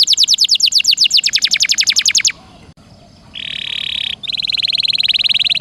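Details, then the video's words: Canary singing a rolling tutor song for shamas: a rapid run of sharp, high, repeated notes stops for a short pause. A steady buzzy trill follows, then a fast, pulsing rattle-like roll. "Suara kenari gacor ngeroll nembak mantap"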